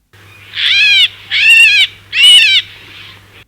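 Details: A common (Indian) myna gives a high-intensity distress call, produced when captured by a predator or handled in traps: three loud, harsh, rasping screeches about half a second each, under a second apart, over a low electrical hum.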